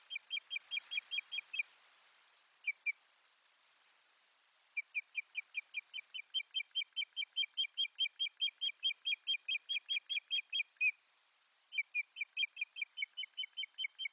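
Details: Osprey at its nest on 1 May 2020, filmed by a live nest camera as it brings soft lining material to the nest; long runs of sharp whistled 'cheep' notes repeated rapidly, about two per second, pausing between bursts, with faint wind.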